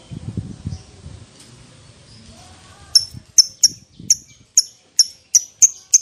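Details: Lovebird chirps from a lure recording meant to trigger long 'ngekek' chatter in other lovebirds. Muffled low rustling and faint sounds at first, then loud, clipped high chirps about every third of a second.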